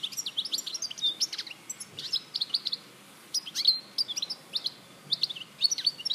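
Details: Goldfinch in Larache, 2014, singing short clusters of high, bell-like chirps and brief trills, with small gaps between phrases.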